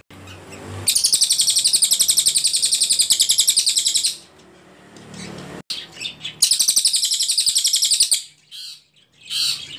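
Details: Ashy Tailorbird (cililin) singing clearly in long bursts, used as a tutor recording for training songbirds: two sustained runs of rapid, evenly repeated high, sharp notes, each lasting several seconds, separated by softer chirps.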